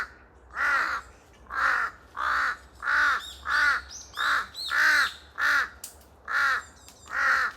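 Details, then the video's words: Pair of large-billed crows giving noisy, echoing cries in forest. Eleven rough, hoarse caws in a steady string, about one every two thirds of a second, each arched and slightly nasal. "큰부리까마귀 한쌍 시끌벅적거리는 울음소리 메아리치는 숲 속 A pair of Jungle Crow, their noisy cries echoing through the forest"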